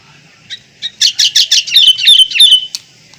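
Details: Kutilang (sooty-headed bulbul): a few spaced chirps build into a quick rhythmic run of loud notes and descending whistled slurs.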